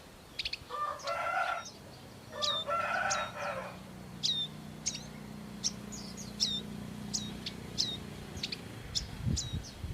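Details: Bar-winged prinia parents caring for their young in the wild: sharp, high chip notes repeated in an irregular series throughout, with two short bursts of dense, scratchy twittering early on and a low background hum.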